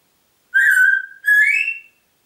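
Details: A pet Congo grey parrot from Diebach near Hammelburg gives a two-part whistle, a steady level note followed after a brief dip by a second note that rises higher, clean and loud.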